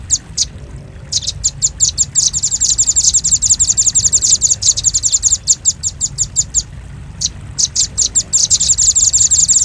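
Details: Velvet-fronted nuthatch, called the doraemon bird, in a recording made for luring: bright, high chips start sparsely, then run into dense rapid series, broken by a brief gap before resuming.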